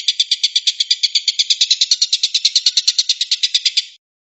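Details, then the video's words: Woodpecker calls compiled as a training track for songbirds such as magpie-robins: a rapid, harsh rattle of about eight clipped notes per second, steady for four seconds, then stopping abruptly. No other sounds. "PELATUK BAWANG & PELATUK BERAS"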